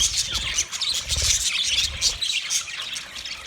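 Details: Several white male budgerigars chirp in mating, rapid high twittering and scratchy notes tumbling over each other, about three per second, with low rumbling handling noise beneath.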